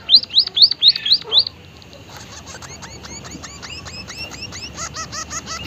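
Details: Emprit haji, the white-headed munia (Lonchura maja), giving unusual lively calls: six loud sharp upslurred notes in quick succession, a short gap, then a long even series of softer thin chipping notes, steady and rhythmic.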